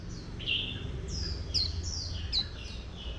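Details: Oriental white-eye female used to excite a wild-caught male into líu singing; quick high descending whistled notes follow one another closely over a steady low background hum.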